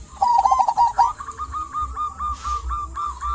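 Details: Local zebra dove song meant to prompt quiet doves: a loud quick cooing trill lasting under a second, followed by softer, evenly spaced coos at a slightly higher pitch.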